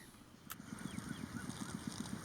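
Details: Grey-headed Swamphen in rice fields and marshland in Prachuap, Thailand, calls noisily: a rapid, low nasal honking series of about eight notes a second, like a party whistle, with faint high whistles and insect drone behind.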